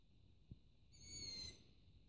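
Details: Long-eared owl chick sitting on a roof at night around 23:30, calling for food, recorded on a mobile phone: a single high, hoarse, squeaky call lasting about half a second, slightly falling in pitch, over faint low background rumble.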